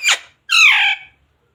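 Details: Pet parrot indoors giving a sharp, brief squeak followed by a longer nasal, harmonic syllable, part of its talking that includes "mummy papa" and "radhe radhe".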